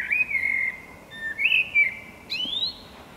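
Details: Eurasian blackbird song: a sequence of clear, fluting whistled notes, some sliding and some held, with a higher rising phrase at the end, over a quiet background.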